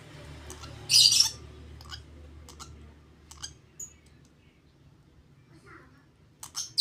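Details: Lovebird chick 32 days old during hand-feeding; one loud harsh begging rasp, then scattered soft clicks and feeding sounds, a brief squeal at the end, low hum at first.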